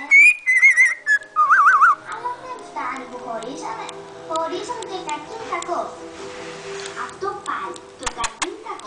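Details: Mickey, a cockatiel (Nymphicus hollandicus) about five months on, runs around on a carpet singing: clear, sliding whistled notes trailing into softer warbling chatter.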